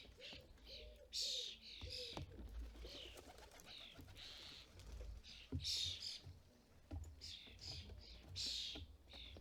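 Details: Starlings, parents and fledglings, at a UK bird feeder in fledgling season: grating, wheezy screeches come in uneven bursts, while soft repeated coos from a pigeon or dove sound lower down in the first seconds.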